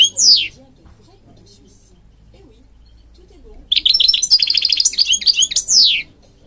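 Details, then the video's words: European goldfinch singing, from Morocco, for training birds: a falling whistled slur, a long quiet pause, then a rapid high twitter ending in another descending drawn-out whistle. "Singing Goldfinch King goldfinch singing"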